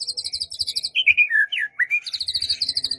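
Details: White-rumped shama song to set off a quiet shama, morning or afternoon: fast stuttering high buzzy notes, then a fluid run of sliding whistles dipping and rising, then rapid buzzy notes again.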